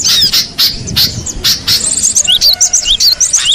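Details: Cinereous tit in the wild: several loud harsh bursts open, then a quick sequence of short, high, rising chirps and slurred notes.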